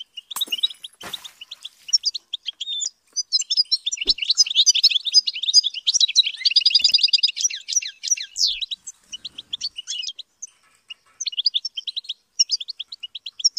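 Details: European goldfinch, a kept bird being trained to sing at high pitch, delivering a fast twittering song of tinkling notes and short buzzy trills, pausing briefly, then returning to scattered high chirps near the end.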